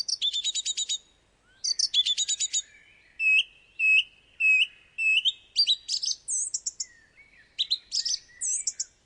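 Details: Male Song Thrush in Britain sings loud, bright, varied phrases, each repeated two or three times: rattling trills, clear whistled notes, sharper squeaky figures; part of the dawn chorus, with a repertoire of over a hundred phrases, proclaiming territory.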